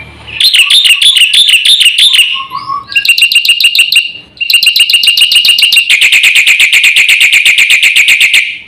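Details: Black-winged myna in full-isian song meant to provoke other birds: wavering whistled trills and a soft low warble lead into long, very rapid volleys of harsh, metallic notes that grow denser toward the end.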